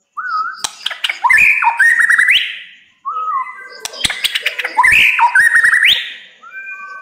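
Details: White-rumped shama singing fiercely in two phrases about three seconds apart, each opening with a soft level whistle and building into clicks and rich rising slurred whistles.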